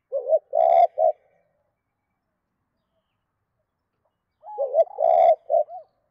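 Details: Spotted dove giving its two-beat call to a hen. Two identical phrases of three husky coos, the middle one longest, are separated by about three seconds of silence.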